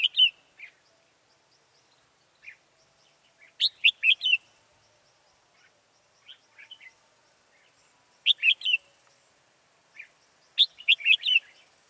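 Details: Decoy red-whiskered bulbul luring wild birds toward a trap, 14 October 2018: bright chattering phrases of several rapid whistles recur every few seconds, separated by quieter isolated notes over a faint background hiss.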